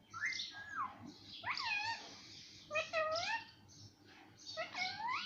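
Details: Parrot imitating mummy and papa: a series of about five speech-like harmonic utterances, with falling and arching contours and short gaps between them.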